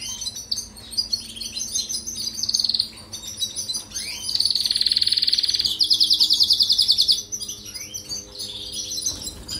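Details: European goldfinch singing, a recording played to train canaries: liquid twittering phrases that build into long, rapid, buzzy trills around the middle, then return to scattered high chirps, over a faint low hum.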